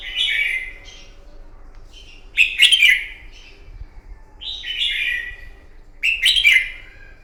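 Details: Red-whiskered bulbul, wild-caught, in a morning fighting song meant to train and excite a bird: four bright, warbling whistled phrases spaced about two seconds apart, with quiet faint notes between.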